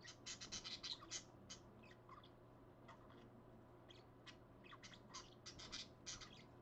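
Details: Early-morning calls from two parakeets, recorded 30 January 2015 at 5:20 AM: bursts of rapid, shrill, scratchy chirps, densest at the start and again near the end, with a constant low hum underneath.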